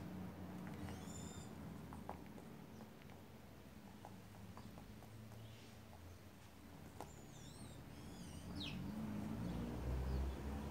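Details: Several white woodpeckers, a gang, with brief downward-curving nasal calls early on and a quick burst of slurred notes later, over low droning background noise and scattered clicks.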